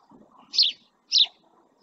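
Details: Two bright, shrill chirps about half a second apart from a male house sparrow sitting by a camera in the Doñana marshland at El Rocío, Almonte, Spain, over soft background murmur.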